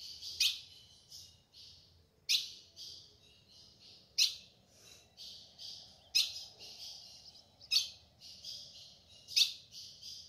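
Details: A female ultramarine grosbeak in the caatinga sertão gives sharp, metallic chip notes roughly every two seconds, each trailed by softer buzzy chatter, calling to stir a male to sing; a faint background hiss persists.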